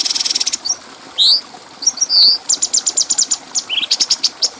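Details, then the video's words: Clear bulbul song for training other birds: a fast ticking burst, two long drawn whistles, then a quick series of sharp high chirps ending in a short rising slur. "Masteran Burung Cucak Cungko Suara Jernih"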